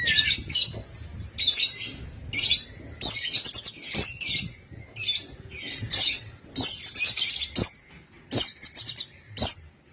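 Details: Orange-headed thrush song for prompting other birds to sing: clusters of very high, sharp chirps and quick twittering trills, repeated in short bursts roughly every second with small pauses.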